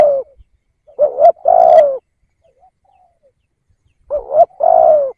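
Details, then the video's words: Decoy spotted dove calling to lure wild doves: two cooing phrases about four seconds apart, each a short wavering double coo followed by a longer, slightly falling coo, with silence between. "chim cu gáy kích bổi nhanh nổi"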